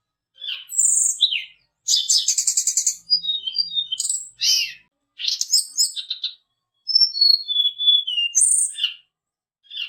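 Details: Varied mountain tledekan song played as a lure for fighter birds. Bursts of buzzy trills alternate with sharp twitters and sweet high whistles, ending in a descending run of whistled notes, in separate phrases with short gaps.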